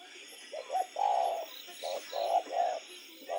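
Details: Spotted dove at night giving deep, rounded coos, a couple of brief notes then a longer drawn coo, repeated in quick succession with a faint high hum behind.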